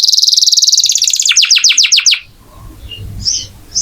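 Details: Energetic canary song used as training audio for other songbirds: a fast buzzing trill turning into sharp descending chips repeated several times a second, then quieter notes and faint noise.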